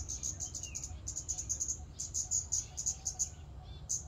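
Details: High, thin, tick-like calls of a Scarlet-backed flowerpecker in a park, delivered in quick rhythmic bunches almost without stop; a faint lower whistled note from another bird and low hum underneath.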